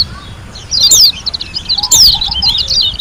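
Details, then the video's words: Lombok white-eye in full song, giving high twittering notes with two loud sharp downslurred whistles and a soft low whistle in the background. "KUMPULAN SUARA PLECI GACOR ASLI DARI LOMBOK‼️ SUPER NGALAS TEMBAKAN MEWAH"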